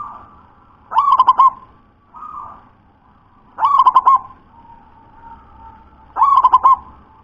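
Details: Thick, deep song of a local zebra dove: three rolling phrases, each a sharp rising note followed by a run of rapid, evenly spaced coos, recurring every two and a half to three seconds over faint droning.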